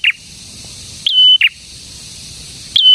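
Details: Prinia song, the bird known locally as prenjak tamu or prenjak merah: a flat, level whistle dropping into a low burst, with another rising note and whistle beginning near the end.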